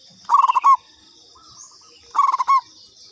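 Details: Local zebra dove giving a lure call: two phrases of rapid, stuttering low coos, each closing on a longer drawn note, about two seconds apart, over a steady high insect drone.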